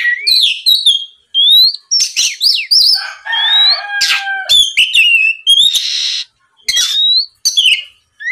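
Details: Oriental magpie-robin singing a varied, nonstop lure song for provoking rival birds: quick whistled slurs, twangy harsh notes and a loud rasping burst, in dense, irregular phrases.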